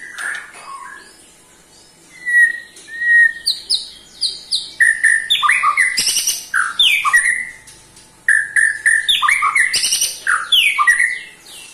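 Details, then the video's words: White-rumped shama, in a recording of the ketrekan call used to get other shamas singing, delivers loud, varied phrases of whistles and harsh chattering notes, with sharp clicks mixed in. "KETREKAN SAKTI!! || MURAI BATU MANAPUN PASTI TIDA MAU DIAM IKUT GACOR"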